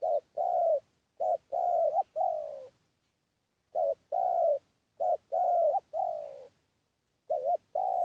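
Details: Decoy spotted dove cooing to lure others: groups of two or three soft, hollow coos, each group ending in a longer falling note, repeated with short pauses between phrases.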